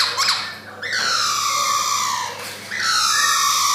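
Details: A male Black-throated laughingthrush with white cheeks, kept in Yogyakarta in 2021, gives loud harsh, noisy calls with long falling slurred tones. A brief pause falls between bursts.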